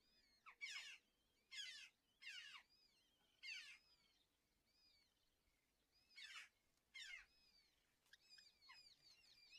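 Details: Red-footed falcon chicks, two young in a nest within a natural breeding colony near Hortobágy, Polgár, Hungary, during breakfast feeding on June 21; harsh, descending screechy calls in spaced bursts, with thin, high whistled notes between them.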